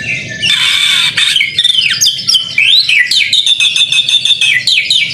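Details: White-rumped shama song used as a training recording: loud, rich, high-pitched phrases with rapid whistles, sweeping slurs and chattering notes strung together continuously, ending in a run of fast repeated notes.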